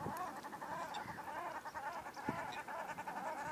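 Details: Aggressive common shelducks quarrel in a polder near Ridderkerk, fighting after coming too close to each other, with rapid, repeated nasal, chattering calls in a steady run and a couple of lower grunts beneath.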